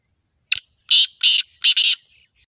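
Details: Loud grating call of a black partridge: one brief sharp note, then a run of three coarse, rasping bursts, the final one doubled, over a quiet background with a faint high whistle between the notes.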